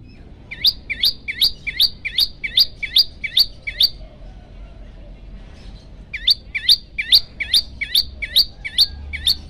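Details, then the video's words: Olive-backed tailorbird singing actively while hungry, in a long-shot variation: a series of about ten high, sharp notes, a pause of roughly two seconds, then another equally rapid series. "prenjak lumut lapar gacor"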